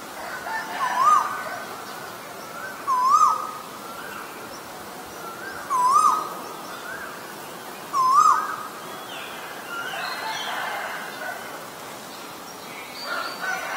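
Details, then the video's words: Male Asian koel calling: four loud rising two-part whistled notes, each sweeping upward, repeated roughly every two to three seconds, followed by a quieter stretch with faint background chatter and high chirps. "นกกาเหว่าตัวผู้ (Asian koel, Male)"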